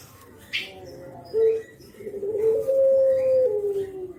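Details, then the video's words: Spotted dove giving the nodding 'kuk geruk' call used to lure other spotted doves; a brief low note, then one drawn-out, smooth coo that rises slightly and slowly falls away, over faint background noise. "KICAU KUK GERUK BURUNG JAWA BRENGGOLO"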